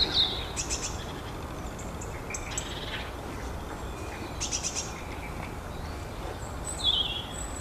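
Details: Long-tailed tit calling with thin, high, descending notes and short buzzy bursts spread across several seconds, set against a constant background hiss.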